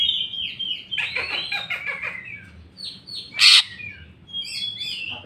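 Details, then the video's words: Greater green leafbird delivering jamtrok-style song and repertoire phrases: a tumbling series of descending whistled notes, a single harsh loud burst, then high, thin, chirpy whistles. "cucak ijo mewah ful jamtrok bongkar isian"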